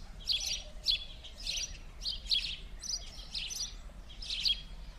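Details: Several house sparrows chirping during winter play in Verdun, Montréal, January 2016; bright, scratchy chirps come in quick irregular bunches, roughly every half second, over faint low traffic hum.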